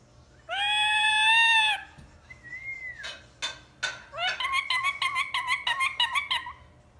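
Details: Pet ring-necked parakeet calling indoors: a long loud harsh screech, a short whistled upslur, then a rapid series of shrill, chattering squawks repeated about three times a second.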